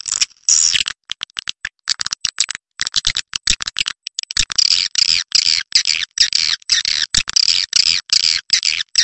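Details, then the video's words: Edible-nest swiftlet call used to lure birds to roost: a stuttering series of sharp clicks that builds into steady, rapid harsh chirps and raspy twitters. "SUARA BURUNG WALET PANGGIL INAP"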